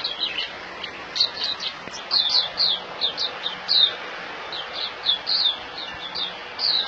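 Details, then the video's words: Caged white-eye in Singapore, singing while held in the hand: thin, high chirping notes scattered irregularly, sometimes in quick pairs, against a steady background hiss. "Puteh - Buka In Hand"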